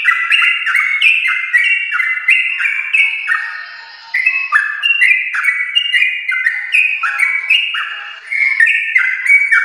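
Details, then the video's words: Long rapid 'ropel' song of a prolific yellow-vented bulbul from champion stock, meant to spur pet bulbuls into singing: crowded, overlapping liquid whistles in quick descending slurs, almost continuous, with one brief dip. "Trucukan gacor ropel panjang TRAH JUARA untuk pancingan trucuk rumahan"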